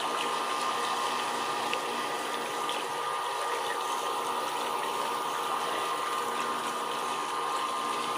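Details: Continuous rushing, pump-like water noise fills the recording, with no clear animal call.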